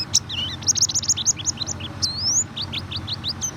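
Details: A white-eye's rapid high twitter, played as a lure so a reluctant bird will sing: clipped chirps repeated quickly, a long rising whistle near the middle, then more chirps.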